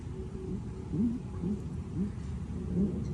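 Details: A newly arrived pair of grey-winged trumpeters in an aviary give low, short hooting notes, four or five soft rising calls spaced about half a second apart over a dull background hum.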